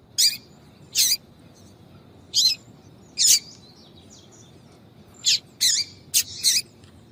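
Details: Female yellow-bellied seedeater's 'tui tui' call for exciting males: eight clean, high chirps, spaced about a second apart at first, then bunched closely near the end, over a soft steady hiss.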